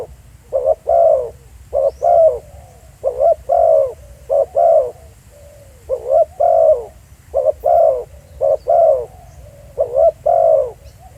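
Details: Spotted dove filmed live at Pha Sing, giving a long run of paired throaty coos. About nine couplets come at an even pace, each a clipped note then a longer drawn-out coo.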